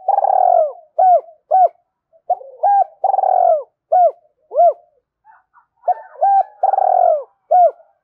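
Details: Spotted dove calling: low, husky cooing phrases, each a breathy drawn-out coo followed by short rounded notes, repeated in several groups with brief pauses between.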